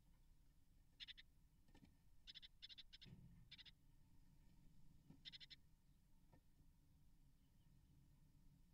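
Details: Great tit (Parus major) nestlings or parents at the nest, 2024: short, high, buzzy chirp bursts in irregular clusters of about a quarter-second each while parents feed nestlings, with soft knocks and rustles.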